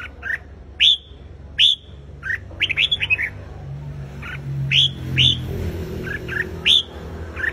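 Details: Red-whiskered bulbul in competitive song to provoke a wild-caught bird, loud sharp whistled notes repeated about once a second, rising and falling, with a brief rapid burst of chirps and a low engine-like rumble midway.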